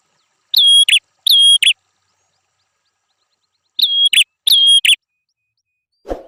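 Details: Red-headed prinia singing as a tutor for fighting songbirds, giving four paired phrases in two bursts, each pair a thin steady whistle snapped off by a brief buzzy chirp, ending with a soft thump.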